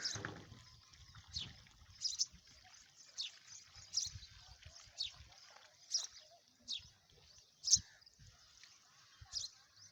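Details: Small wild birds chirping outdoors in a rural setting: short, high chirps repeated about once a second with varying loudness, with a brief voice and low rumble at the very start.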